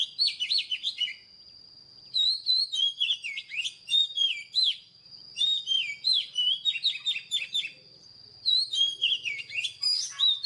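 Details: Oriental magpie-robin song in bursts of varied, sweet whistled notes and quick trills, each burst lasting about a second with short pauses between. A steady thin high tone runs underneath throughout.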